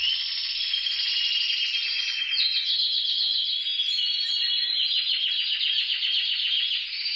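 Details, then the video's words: Canary song played to encourage other canaries to sing: dense, continuous rolling trills high in pitch, with fast buzzy tours that shift and step upward partway through, then run on without pause. "TU CANARIO CANTARÁ CON ÉSTE VÍDEO | CANTO CANARIOS"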